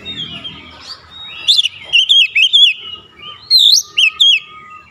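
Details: Kacer, the oriental magpie-robin, kept caged and singing to provoke a rival: long thin whistle followed by loud rising-falling chirped notes in short groups, quiet rumble at the start.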